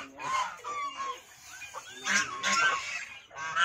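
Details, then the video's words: White domestic geese giving nasal, harmonic honks, a few spaced calls at first and then louder overlapping bursts near the end. "WHITE GOOSE SOUND"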